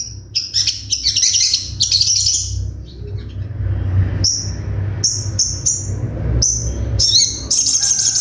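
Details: Crimson sunbird in a training recording of sharp 'tembakan' song: high trilled bursts, a lull, then a series of crisp short whistled notes and a closing shrill trill, with a low background hum.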